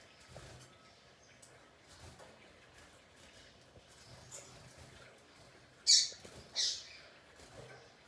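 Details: Free-flying double-collared seedeater soliciting mating: two short, loud, high-pitched chirps about half a second apart near the end, over faint background hiss and scattered soft clicks.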